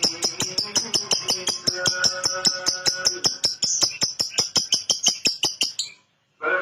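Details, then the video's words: Lovebird giving a relaxed ngekek, a tone likened to a diesel engine. Rapid, evenly spaced dry ticking chirps with a thin high ring, about 27 pulses in six seconds, then a brief silence and a short burst. "Lovebird ngekek mirip diesel - lovebird chirping sound like diesel"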